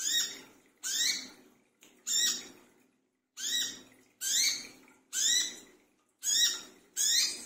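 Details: Brown-throated sunbird, local name wiceh, noisy at midnight in a lure recording: repeated harsh, rising raspy notes, roughly one per second with brief gaps.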